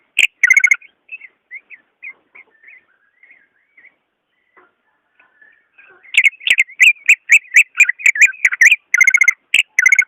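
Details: Greater green leafbird song for encouraging a silent caged bird: a loud warbled opening, then a long quiet passage of faint, spaced whistled notes, followed by an intense rapid outburst of rich, overlapping whistles and chatter.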